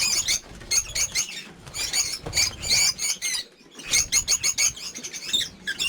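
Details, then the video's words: A flock of over fifty lovebirds at a breeding farm: bursts of thin, high chirps and squeaks alternate with brief quiet spells, ending in quick repeated sharp notes. "Just Lovebirds"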